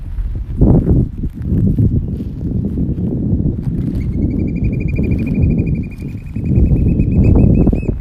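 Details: Oystercatcher at Stratford Point Sanctuary, 4 May 2021, gives a loud, shrill piping trill for about four seconds, rising slightly in pitch, over strong rumbling wind.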